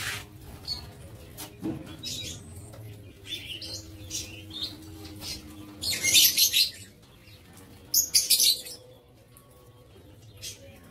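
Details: Lovebirds kept in an aviary on 07 April 2023 give high, harsh chirps, scattered early, then two loud screeching bursts in the middle of the recording, over faint low hum.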